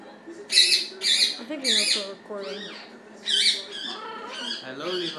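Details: Male pet blue-fronted amazon making noises and talking because it wants attention: three quick scratchy squawks, a swooping whistled syllable, then another squawk and muttered speech-like chatter.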